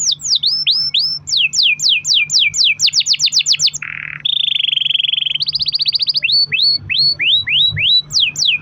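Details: Long-rolling canary song made to encourage other canaries to sing: fast series of slurred whistles, a low buzzy trill, a higher rattling roll, then spaced upslurred whistles, with a low hum underneath.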